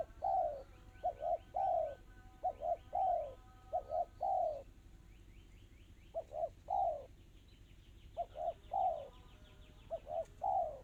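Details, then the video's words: Spotted dove singing in the fast, tightly packed 'kristal' (crystal) style: phrases of two or three short coos and a longer arched, mellow coo, repeated in quick bursts separated by brief pauses; faint high chirping from another bird behind. "Suara burung tekukur kristal rapat cepat"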